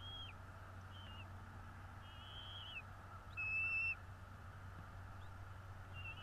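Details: Bald eagle at a nest in northeast Florida, streamed by a nest camera on 12 February 2022 around 16:09: thin, high whistled notes, short and slightly down-slurred, given in a loose series with one louder piping note midway, over a steady low hum.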